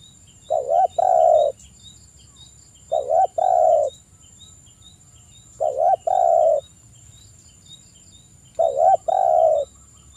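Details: Spotted dove, locally tekukur, singing a lure song meant to start other doves singing, morning and evening: four two-part mellow coos, a quick hooked note then a drawn-out rolling coo, roughly every two and a half seconds, with faint steady high ticking behind.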